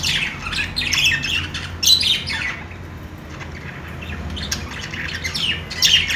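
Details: Chirping budgies during play: bursts of high, trilled warbles and squeaky notes, a quieter lull mid-way, then renewed lively chatter.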